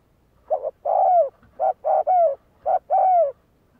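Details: Spotted dove cooing for decoy-bird training: three phrases, each a short soft note followed by a longer mellow coo that falls at the end, spaced about a second apart, with a quiet background.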